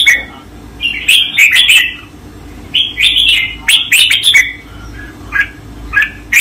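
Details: Master training song of the red-whiskered bulbul: two bubbly, fast phrases of clear whistled and chirped notes about two seconds apart, then a few isolated short calls near the end, recorded cleanly without other noise.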